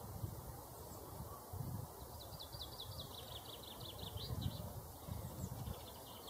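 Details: Male chaffinch singing: a rapid descending series of bright repeated notes in the middle of the clip, set against steady low rumbling background noise and a constant high hiss.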